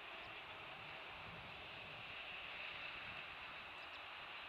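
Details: Only steady, quiet hiss and rushing background noise are heard, with no animal calls.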